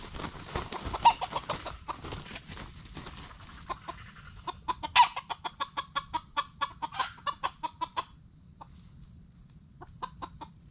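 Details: Red junglefowl in Sumatra, heard while being lured for trapping and recorded on a GoPro: a loose run of short, sharp clucking pulses, some louder than others, over a steady high cricket trill.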